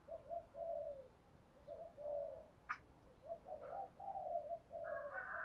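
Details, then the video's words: Caged spotted dove kept as an ornamental bird, cooing in the 'giọng thổ Thúc Gù' style: faint, low, hoarse coo notes in short phrases, repeated several times over steady background hiss with a brief click. "cu gáy giọng thổ Thúc Gù/ tiếng gáy hay và bài bản của một con chim cảnh chuẩn"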